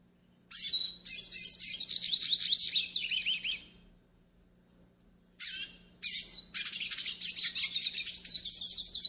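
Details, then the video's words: Yellow-faced siskin (pintassilgo do nordeste) song used for tutoring and warming up other birds: two bursts of rapid, high twittering with warbled trills and sweet notes, separated by a pause, over a faint steady low hum. "CANTO PARA ENCARTE E ESQUENTA PINTASSILGO DO NORDESTE"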